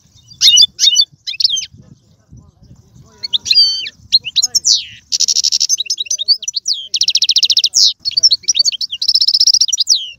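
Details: Goldfinch song meant to stimulate a pet goldfinch: scattered high chirps over a faint low murmur at first, then dense rolling twitter, buzzy trills and rapid repeated notes filling the second half.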